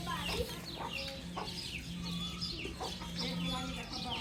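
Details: Several baby chicks give soft, high peeps that slide downward, spaced a few per second, over a constant low electrical-sounding hum.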